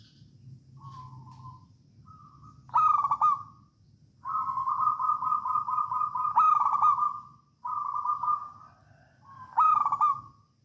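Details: Javanese local wild zebra dove singing 'songgo ratu', intended to prompt other doves to sing: soft lead-in coos, then repeated loud trilled bursts joined by long rolling purring phrases, the pattern recurring several times over quiet low hum.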